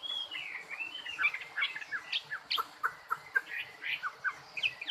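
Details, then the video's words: Songbird giving a long sliding whistle, then a quieter run of short chirps and sharp notes repeated at uneven intervals, with a soft steady background murmur. "Chim hót"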